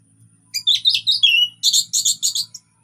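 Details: Relaxed orange-headed thrush song, meant to coax silent birds into singing: after a quiet start, sliding whistled notes lead into a run of six sharp, dense chattering bursts.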